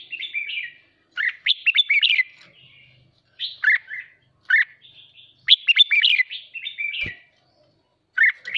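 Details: Excited captive red-whiskered bulbul in 'hót ché' song meant to stimulate rivals: clusters of quick, bright warbled and upslurred whistled notes in bursts about a second long, spaced by short gaps, with one soft tap.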